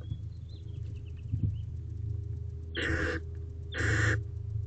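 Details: Barn owl owlet, the oldest in a nest box, recorded April 20, 2023 at 6:32 pm while experimenting with wing movement; two broad rasping hisses about one second apart over a steady low hum.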